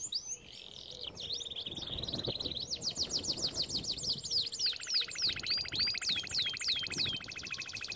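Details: Canary singing a training song: sweeping whistled notes, then long rapid trills of downslurred notes, and a lower steady rolling trill beneath, against faint background hiss.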